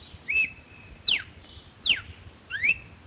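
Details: Red-cowled cardinal song, clean sound without effects: four loud whistles spaced under a second apart, a level note, two sharp descending slurs, then a rising whistle ending flat.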